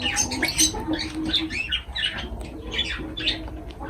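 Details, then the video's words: Lovebirds at their food chatter continuously, a dense run of shrill squeaks and buzzy chirps with no pause. "Love birds voice sound"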